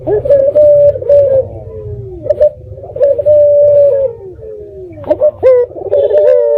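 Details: Local red-eyed dove calling, used as a lure so other doves answer; low, mellow coos held steady then sliding down, given in a loose series with short breaks, over a low constant hum.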